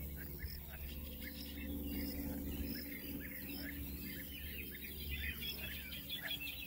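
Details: European bee-eaters (Merops apiaster) at Izliv Soče nature reserve on 14 June 2024 give rolling, liquid 'prruip' calls from several birds at once, overlapping, over a low rumble of wind or distant traffic.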